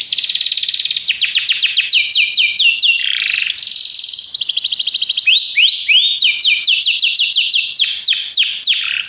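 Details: Belgian canaries singing loudly and continuously: long pulsed trills, rapid series of descending sweeps, and rising whistled notes chained together at a fast pace.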